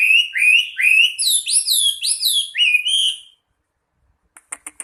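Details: Chinese hwamei, a national champion singer, sings a string of bright whistled phrases that swoop upward and fall away, each slightly different, before falling silent and a few soft clicks follow.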